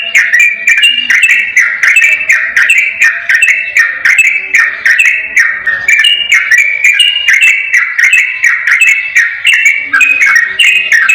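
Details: Long, clear ropel song of a yellow-vented bulbul for luring a silent bird into singing: dense, bubbling whistled notes strung together without a gap over eleven seconds.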